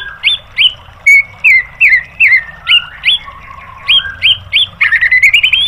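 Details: Training song of a white-rumped shama for caged birds, a string of short hooked and rising whistled notes at an uneven pace, ending in a fast chattering flourish, over a quiet low hum.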